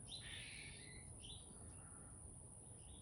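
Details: A single burst of scratchy, buzzy chickadee notes opens the recording from a backyard, followed by a fainter short chip, with low rumbling noise and a thin constant whine behind.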